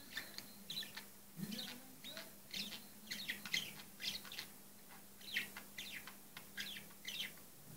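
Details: A bird described as a coughing bird gives short, sharp chirping notes in quick irregular bursts, about one every two seconds, against a faint low steady hum.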